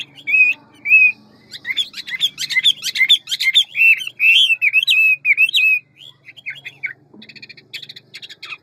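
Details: Large ngũ trường Hwamei delivering its quick forest-voice song with many voices: two clear whistles, then a dense run of rapid varied whistled notes, and thin buzzy chirps near the end over a low hum.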